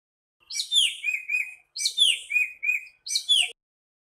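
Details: Nightingale song of three rapid phrases, each a rush of high, sweeping whistles trailing into shorter repeated notes, with faint low chirps in the gaps.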